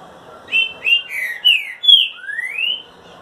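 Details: Green-winged saltator singing the boiadeiro (boi) song style: five loud whistled phrases, the first slurred, the later ones sliding downward, then a long rising whistle closing the phrase, over faint background hiss.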